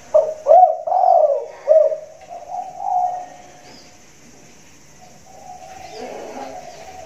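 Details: Big-voiced caged spotted dove cooing from a raised cage during the rainy season; a quick run of low, mellow hooted coos fills the first three seconds, then the calling fades to faint, softer murmurs.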